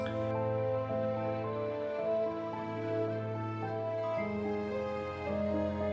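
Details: Soft, slow instrumental music with sustained tonal notes and gentle chord changes; no animal sounds are heard.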